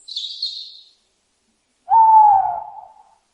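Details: Owl hooting: one steady, slightly falling mid-pitched hoot about a second long, preceded by a brief burst of high, thin chirping from a smaller bird, then silence.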